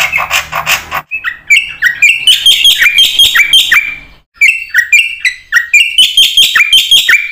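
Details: Lure song of a black-winged myna for training other mynas: a harsh noisy opening gives way to long runs of quick, repeated, bright chattering notes, broken by one short pause.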